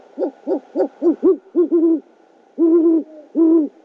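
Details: Great horned owl pair at a nest camera in Oklahoma City, 12 February 2013 around 9:30 PM, as the male brings a rodent to his mate: a run of short hoarse harmonic notes, then two longer, drawn-out even notes.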